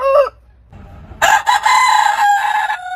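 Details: Crowing of heritage chicken-breed roosters. A brief crow ending is followed by a low rumbling pause, then a harsh, noisy crow of about one and a half seconds. It has a hoarse, broken quality and a held final note.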